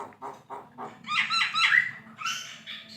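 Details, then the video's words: Javan myna singing as a songbird tutor: a few low, muffled knocking notes lead into a harsh, wheezy, squealing phrase. A faint low hum continues underneath. "JALAK KEBO GACOR FULL MASTERAN BUAT KICAUAN ANDA"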